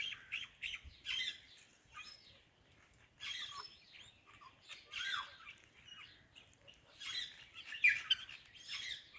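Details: Greeting an Alexandrine parrot, a ringneck parrot produces soft, raspy, word-like phrases in uneven bursts separated by short pauses, with quiet background.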